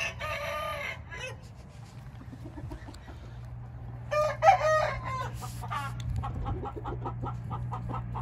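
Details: Hint roosters crowing: a hoarse crow opens, another rough crow follows midway, and a run of rhythmic clucks closes, all over a constant low mechanical hum.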